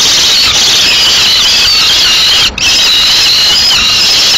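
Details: Peregrine falcon nestlings in Madrid, 14 May 2016, squabbling over prey the female has just delivered: a continuous, loud, grating scream held almost unbroken, with one brief pause midway, over faint low rumble.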